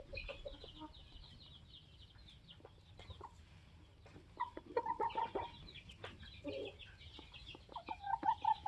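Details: Polish laying hens, 21 weeks old, with their protective rooster; several birds cluck and murmur in overlapping short notes, with a few louder tonal calls near the end and scattered knocks in the background.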